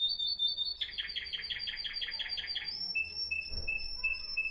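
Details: Timbrado canary from Morocco, 2021, singing discontinuous florealdo song. A sustained high tone gives way to a quick run of repeated notes, then clear held whistles broken by short pauses, with faint background noise.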